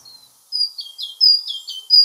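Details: Great Tit song variant built on a basic syllable sequence, after a faint opening note: loud clean high whistles alternating with lower downward-sliding notes in a brisk repeated pattern, with no other sounds.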